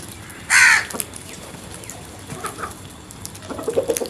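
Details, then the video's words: Crow calling once with a single loud, hoarse caw, then quieter scattered sounds and a soft run of low notes at the end. "Birds Sounds | Crows Planet"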